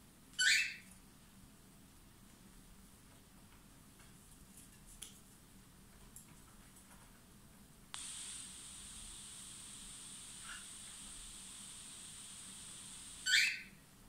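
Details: One of two pet cockatiels gives two brief, harsh screeching calls, far apart, in a quiet room.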